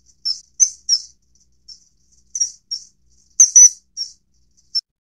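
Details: Common kingfisher calling: thin, piercing high whistles repeated at uneven intervals, single and paired notes, the loudest a rapid double whistle, over a quiet background.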